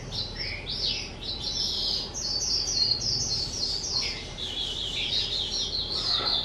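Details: A two-year-old caged skylark sings on 18 April 2023, pouring out a long rapid run of high chirps, trills and short slurred whistles with few pauses, a faint hum underneath.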